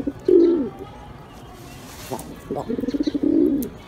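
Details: Pigeons cooing: a low, hollow coo near the start, then a run of quick pulses leading into a longer rolling coo, with faint background noise between.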